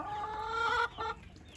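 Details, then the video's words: A hen in a hen house gives a loud, drawn-out nasal squawk with rich harmonics and then a shorter second note, the egg-laying cackle, while several hens try to lay at once. "So you can hear a chicken here laying an egg."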